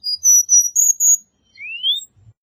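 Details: Cuban bullfinch song in the dense 'tembakan rapat' style, used as a tutoring recording: a row of high, clear, level whistled notes, then a softer rising slurred whistle after a short pause.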